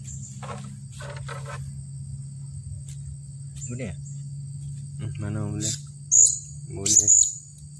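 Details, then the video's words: Blue-crowned hanging parrot, an agitated decoy bird after a trapping session on 15 June 2020, bursts out sharp, very high squeaky notes in two quick clusters near the end, over a steady high electronic whine, low hum and a man's voice. "Burung Serindit Marah"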